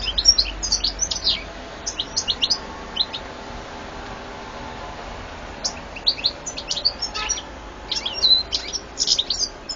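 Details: European goldfinch song from 2014, a series of quick high twittering and tinkling phrases in several bursts, with a brief pause midway, over faint low background hum.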